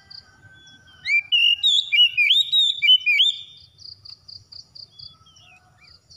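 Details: Loud, varied whistled phrases from an Oriental magpie-robin, played as therapy to make a silent bird sing. They follow a faint flat tone and give way to evenly spaced high pulses and low rumbling.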